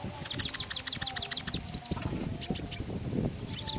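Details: Common iora song for luring other birds: a fast dry ticking rattle, then three clear high sharp notes and a final slurred high note.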